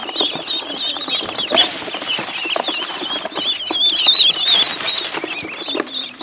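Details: High thin peeping from a duckling in the pond, many wavering notes in quick succession, with bursts of splashing and wing flutter.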